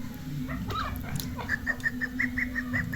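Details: Chukar partridge (Alectoris chukar), described as a hunter's chukar and female chukar calling, gives soft clucks, then a quick run of about eight even, mid-pitched 'chuck' notes, several each second, over a steady low hum.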